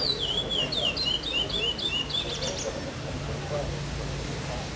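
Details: Chestnut-bellied seed finch in competition at Vinhedo on 05/08/2012, 'Pardo sem Repetição' category, finishing fifth. A quick series of looping, slurred whistles fills the first two and a half seconds, then only background chatter and hum remain.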